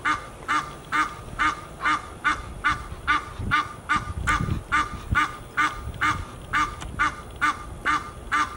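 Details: A continuous series of loud honks from geese in Fort Lauderdale, Florida, USA, roughly two a second, with some low rumbling noise midway.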